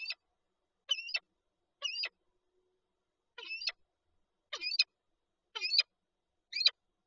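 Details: Peregrine falcon pair, nest with an egg, Lublin, Poland, 19 March 2022: a series of high, whining, drawn-out notes about once a second, with a short gap after the third.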